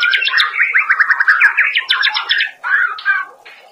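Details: White-rumped shama song played as daily master material for training cage birds: rapid varied phrases of buzzy trills and sweeping whistles, densely packed notes repeating over three seconds before fading.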